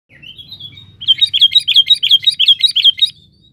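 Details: Sooty-headed bulbul in full song, calling a rival, recorded for use as a lure; a thin rising note, then a fast run of about a dozen bright, bubbly chirps in quick succession.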